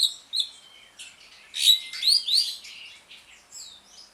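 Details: Asian pied starling, ngriwik song used to prompt starlings that stopped singing: softer scattered whistles and thin drawn notes, swelling to a few bright upslurred whistles mid-phrase, then tailing off quietly.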